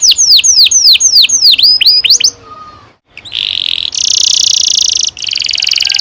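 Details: Canary in full song, used to prompt young birds to sing: a fast series of loud sweeping down-slurred whistles, then long sustained buzzy rolling trills after a brief pause.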